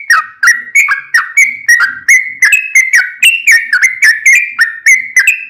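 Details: Lively full song of a yellow-vented bulbul intended to trigger other bulbuls into singing. Liquid whistled notes, many dropping then rising, bubble along steadily at roughly three per second.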